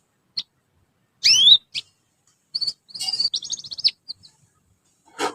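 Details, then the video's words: Juvenile canaries in a group practising song as a lure sound: a sharp falling chirp, then scattered short high notes leading into a fast, buzzy trill of repeated syllables, ending in a rough burst. "kanari belajar bunyi_ pancingan kenari paud ombyokan"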